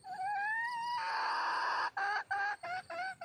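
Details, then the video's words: Red junglefowl hen calls to attract a mate, first with a long, slowly rising, wailing note that swells and holds, then five short, harsh, evenly spaced notes, with faint insect hum behind. "suab poj qaib see zoo heev cuab tuaj zoo kawg"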